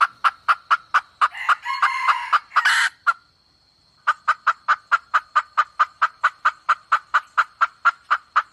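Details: Red junglefowl hen call from 2024 used as lure bait: quick sharp clucks, a harsh rasping cackle burst, a brief pause, then a long run of evenly spaced, clipped clucks at roughly two per second.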